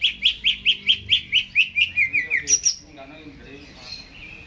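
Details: Captive greater green leafbird singing before its cage is hung: a regular train of a dozen loud, bright chirps, then a high squeaky flourish and faint twittering.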